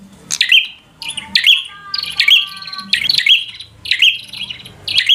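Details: Bar-winged prinia in loud fighter-style song meant to provoke a rival into fighting: sharp, bright chirped phrases bursting roughly once a second, each ending in a short ringing note, with a faint low hum in the background.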